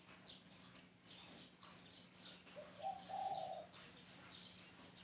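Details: A single mellow spotted dove coo in mid-clip, a brief rising lead-in ending in a drawn-out low hoot, set against repeated high chirps of small birds and a steady low hum.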